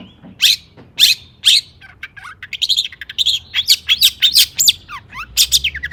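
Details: Long-tailed shrike singing agitatedly to prompt other shrikes: three spaced harsh calls, then a quick jumble of twittering, warbled high notes and short downward whistles.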